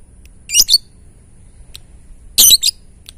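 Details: Ngetik song of a lovebird, used to stir other lovebirds to join in: two quick clusters of shrill, squawky chatter roughly two seconds apart over a quiet background with a thin constant hum.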